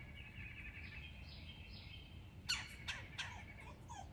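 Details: Smallish red-headed woodpecker visiting backyard suet feeders in Alabama, fussing and squawking at a cat, dogs and people on a patio. Faint thin calls first, then three loud, harsh, buzzy squawks in quick succession near the end, over steady outdoor background hum.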